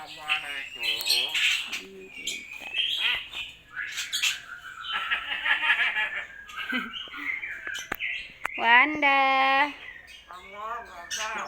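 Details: Common hill myna imitating human speech, saying Islamic greetings and phrases and coughing; harsh, nasal speech-like syllables mixed with squawks and whistled notes, with a clear stacked harmonic phrase near the end.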